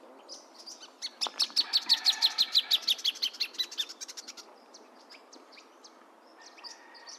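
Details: Plain thornbird song: a rapid series of about twenty sharp, evenly spaced chirped notes over roughly three seconds, slowing and fading at the end, with fainter high chips from other birds before and after.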